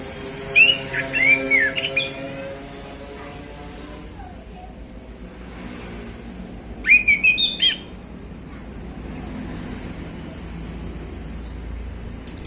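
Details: Afternoon song of a male orange-headed thrush: a fluid whistled phrase of looping slurred notes, a long quiet gap, then a second similar phrase, with faint traffic-like rumble behind.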